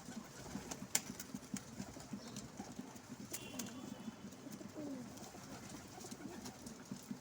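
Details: Soft, low pigeon coos rumble continuously from birds gathered at a window, partly buried in hiss, with a few faint sharp clicks and a brief higher note near the end.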